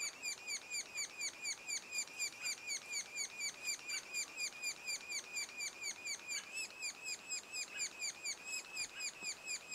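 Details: Nestling sapsuckers two days before fledging keep up a persistent series of high, harmonic, descending notes at about two per second, recorded at the nest amid light background noise.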